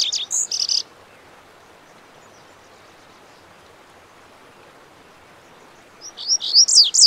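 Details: Lazuli bunting song from western North America: a brief burst of high, sweet warbled notes, then about five seconds of quiet before another high twittering phrase begins near the end.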